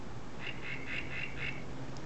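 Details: Bird perched in a garden tree, where it calls twice a day with a changing call; here a short series of five clipped, high notes at about even spacing over steady low background hum.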